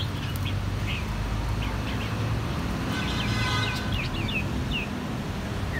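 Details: Three same-brood red-whiskered bulbuls, cheeks gone from white to red within one season, in a crisp bell-type song: short, clear, up-slurred whistles scattered throughout, bunched more densely toward the end, with constant low background hum.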